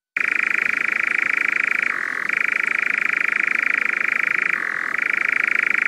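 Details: A European nightjar, a crepuscular summer visitor to Portugal whose insect-like song is rarely heard before late April, churrs nonstop: a dry rapid mechanical trill dipping briefly lower twice before resuming. Nothing else is heard.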